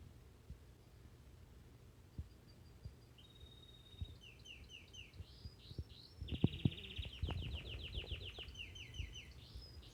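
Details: Crested canary (labelled Gloster) singing at home: bright, rapid trills and rolling chirps, rising in pace and strength midway, over low indoor rumble and soft knocks; identified as Belgian canary.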